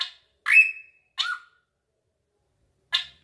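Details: Drongo with an echoing voice: a rasping burst into a long, flat high whistle, then a shorter note sliding down to a lower tone, and a last harsh burst after a pause.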